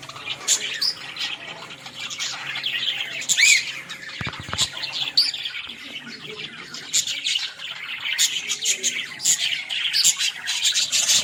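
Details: Australian parrot (budgerigar) filmed in a village: a running stream of sharp high chirps and warbled twitters, with a brief low thump near the middle and soft flutter sounds.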